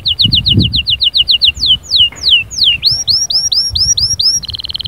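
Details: Lively canary song used to encourage silent canaries to sing: a quick run of short sharp notes, three long downward-swooping whistles, then rising chirped syllables repeated rapidly, ending in a dense buzzy trill; light background rumble.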